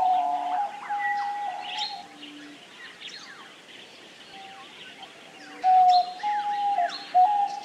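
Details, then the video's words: Diamond dove song: sustained, even, tonal coos held at a mid-low pitch, with a louder coo phrase near the end, over a busy background of many small birds chirping and twittering. "Canto da Rolinha Diamante / Pomba Diamante | Diamond Dove"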